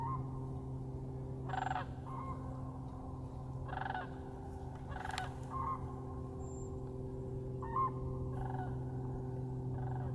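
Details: Sandhill cranes flying overhead a frozen winter marsh give rolling, rattling bugles in short bursts every couple of seconds, over a steady low hum of a stream running under the ice.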